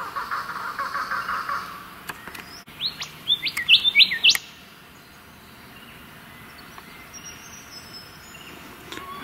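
Golden whistler: a quick burst of loud, clear whistles with sharp upward and downward sweeps. Lower, softer repeated notes from another bird come first, over a faint background hum.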